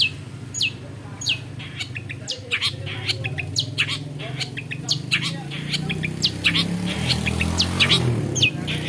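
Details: Long-tailed shrike, a skilled imitator of other bird species, delivering scattered high chirps and short sweeping notes in an irregular stream over a loud, steady low rumbling background.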